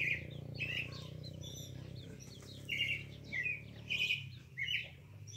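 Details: Pale-breasted thrush delivering clear whistled notes, each a short slurred phrase repeated roughly every half second to second, over a soft low drone.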